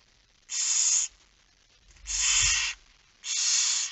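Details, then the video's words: Barn owl nest at night, September 2019, while food is brought: three drawn-out, breathy rasping hisses about 1.3 seconds apart, with a soft low bump under the second. "Kerkuil It Fryske Gea 2019 09 10 22 45 voedering"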